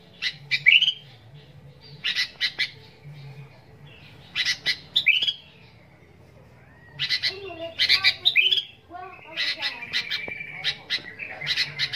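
Sooty-headed bulbul giving bursts of harsh, chattering notes mixed with short rising whistles, in phrases every two to three seconds over a faint low hum.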